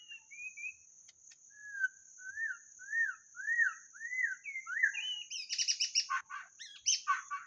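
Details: Lure song of a white-rumped shama: a string of arched, rising-and-falling whistles, then a burst of loud, harsh chattering notes, with a continuous high-pitched whine.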